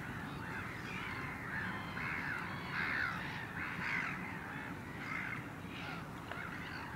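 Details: One Caspian gull recorded on 9 March 2016 utters a run of five or six loud, hoarse, nasal calls spread over about four seconds, with constant low-pitched background noise throughout.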